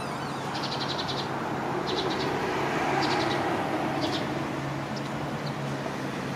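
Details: Japanese Pied Wagtails (White Wagtail, Motacilla alba lugens) flock entering a communal winter roost in an evergreen bamboo-leaf oak at a parking-area edge, late autumn. Short high twittering calls in bursts about once a second over a steady traffic hum.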